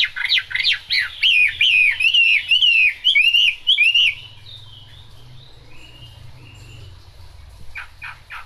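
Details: Chinese hwamei in the rain: about ten loud, rolling whistled phrases in quick succession, each with a rising-falling lilt. Then the song stops, leaving faint background noise and a few soft notes at the end.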